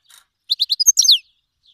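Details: Iranian Himalayan goldfinch cross, black-headed, singing for teaching young birds: a brief high faint twitter, then a quick run of five bright chirps rising into a twisting, descending warbled flourish.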